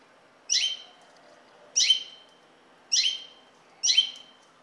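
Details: Common linnet giving four short, bright call notes, each a quick downward-sweeping chirp with a ringing tail, spaced a little over a second apart against a quiet background.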